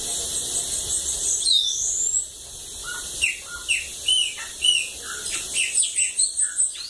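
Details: Bananaquit singing, home recording from Lagoa d'Água, Brazil: thin, high-pitched wheezy notes and quick descending slurred chips in a hurried, jumbled phrase.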